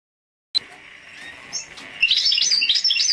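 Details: Black-headed siskin crossed with canary, a hybrid songbird: a quiet high hum for over a second, then a burst of bright, high, rapid twittering trills and chirps in the last second.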